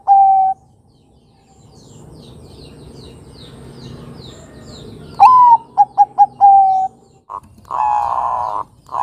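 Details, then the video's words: Zebra dove of the Bangkok type singing a lure song for young birds to copy; a held coo, a long quiet gap, then a swooping note, three quick coos, a long drawn note and a muffled burst. "Pancingan Suara Burung Kutut Perkutut Bangkok Gacor Ini Mudah Ditiru Kutut Bakalan muda"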